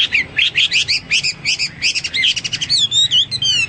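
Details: Hwamei in full, lively song: a fast series of paired bright chirping notes repeated rhythmically, then a rapid trill and clear ringing whistles that swoop down and rise again.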